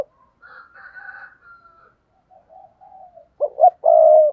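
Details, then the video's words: Spotted dove cooing to attract wild doves; faint higher drawn-out calls and soft low notes come first, then a loud phrase of two short notes and a long steady hoot. "tiếng cu gáy thúc bổi"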